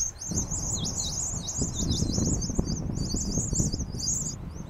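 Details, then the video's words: New Holland honeyeaters in Kamay Botany Bay National Park giving a rapid, continuous run of high, squeaky chattering notes, dense and busy throughout, with low rumbling background noise beneath. "New Holland Honeyeater"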